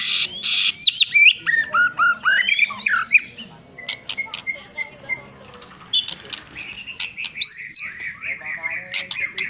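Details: White-rumped shama song: clear whistled notes that slide up and down between harsh, scratchy bursts and clicking chatter. Phrases are varied and uneven, with a loud rasping start.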